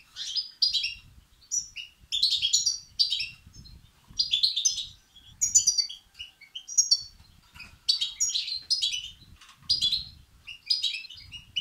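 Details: European goldfinch chicks begging, calls used to stimulate and excite males: continuous busy high twittering and scratchy chirps in rapid clusters throughout, with soft low rumbling underneath.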